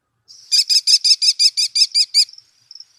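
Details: An American kestrel in flight gives a rapid, shrill series of about ten piercing klee notes, roughly six per second, with nothing else audible.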